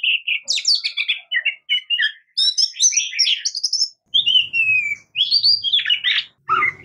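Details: Oriental magpie-robin song: a rich, varied run of clear whistles, quick slurred notes and rising and falling phrases, delivered almost without pause, with a soft low rumble in the background.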